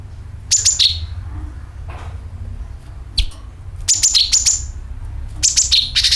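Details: Sooty-headed bulbul lure call: clusters of sharp, high chirping notes that fall in pitch, repeated in quick bursts with brief pauses, against low background rumble.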